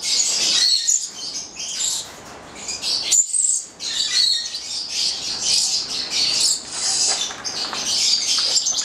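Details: Italian-bred Papuan lorikeets (goliathina), a nine-month-old captive pair; almost continuous high, squeaky chirping and chattering with several sharp shrill notes and brief gaps.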